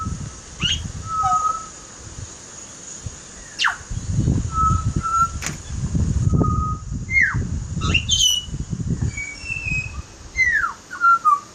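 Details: Butcherbird singing clear whistled notes, flat fluted tones and short downslurred phrases spaced through the clip, over steady low rumbling background noise with a constant high hiss.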